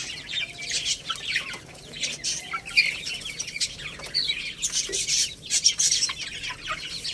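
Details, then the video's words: Lohmann Brown chicks eating rice, young rooster and hen: a steady stream of high, thin overlapping chirps with frequent clicking pecks throughout. "Chicks Chirping Sounds"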